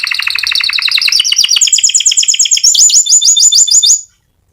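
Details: Fighter-type canary singing a rolling song suited as a master recording for training other canaries: rapid trilled rolls of repeated notes, shifting upward in pitch across three sections, loud and steady for about four seconds, then silence.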